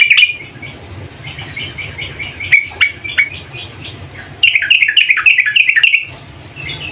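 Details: Yellow-vented bulbul, a female calling the male: fast, bubbling chatter at the start. Scattered quieter notes follow, then a loud run of rapid, jerky chattering phrases near the end, over a faint low hum.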